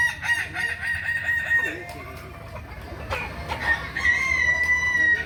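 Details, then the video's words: Kukuak Balenggek rooster at a crowing contest, Ampang Kualo, Solok city, May 2024; a sustained crow opens the recording, then broken stepped syllables and a second long level crow, with background chatter and other birds. "Latberan Ayam kukuak balenggek"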